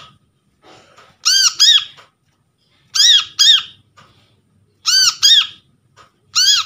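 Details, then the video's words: Brown-throated sunbird recorded from a trapped bird as a lure to attract birds and restart silent ones: four harsh double notes, each pair of buzzy arched squawks repeated about every one and a half to two seconds. "PANCINGAN BURUNG KOLIBRI KELAPA"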